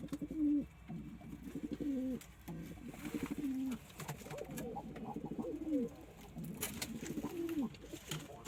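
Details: Pigeons coo steadily: deep, wavering, bubbling phrases that swell and fall back, one after another with brief gaps, over faint clicks and rustles.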